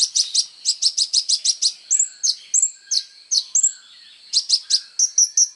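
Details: Sunbird, locally called kolibri ninja, singing actively as training material for songbirds: a fast run of sharp high chirps, then thin whistled notes alternating with quick downslurred chips, ending in rapid twittering; clean, no other sounds.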